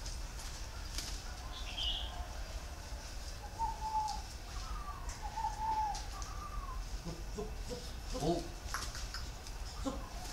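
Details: Spotted dove giving a plain three-note coo with a very warm tone, heard as a few soft, low hooting notes in the middle of the recording over steady low background rumble, with brief higher chirps from another bird early on.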